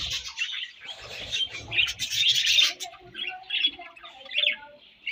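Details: Breeding-season budgerigars chattering: bright rapid chirps and squeaky warbles, with a run of short whistled notes repeated in the middle and busy scratchy chatter around them.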